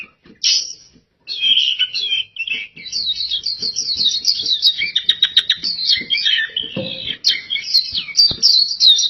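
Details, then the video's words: Pleci (oriental white-eye) in sustained gacor song: an opening chirp, a short gap, then nearly eight seconds of fast, varied, high twittering and trilled phrases that grow denser toward the middle. "PLECI GACOR DORR Suara Mantap abis"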